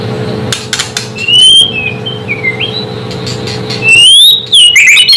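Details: White-rumped shama song used to provoke other shamas into agitation: clear whistled notes, some sliding up and down, then a loud rising whistle and quick falling phrases, over a steady low hum.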